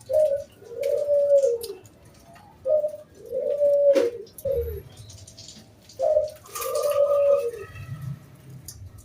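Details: Zebra dove, a loud local wild bird, singing in the round 'kung bulat' style used as a lure to get other doves singing. Repeated phrases of a brief opening note and then a drawn-out, gently descending low coo, about every three seconds.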